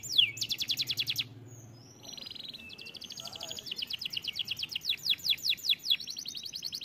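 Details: Canary song: a fast metallic trill, a pause, a buzzy phrase, then a long run of evenly repeated high whistled notes speeding into sweeping slurs, with low background hum.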